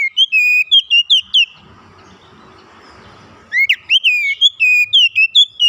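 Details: Oriental magpie-robin, an untrained bird singing actively and unloading its fill: a rapid run of clear whistled notes, two seconds of soft hiss, then another quick series of bright, sweeping whistles.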